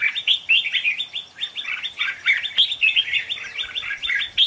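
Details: Red-whiskered bulbul decoy song used for trapping: a dense, lively run of bubbly, whistled chirps, several notes each second, bright and mid-to-high pitched, with no pauses.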